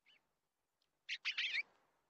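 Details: An eastern bluebird at a nest gives a faint, high chirp, then a quick run of harsh, scratchy bursts lasting about half a second.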